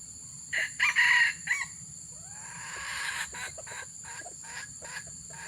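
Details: Red junglefowl recorded while luring wild junglefowl, giving a quick four-part raspy crow near the start, then fainter rustling and clicking noises fill the rest of the recording.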